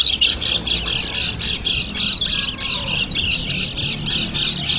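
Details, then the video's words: Continuous excited white-eye chatter used to lure small birds: dense, high, buzzy twittering run together without pause, with a faint low background. "suara PIKAT PLECI"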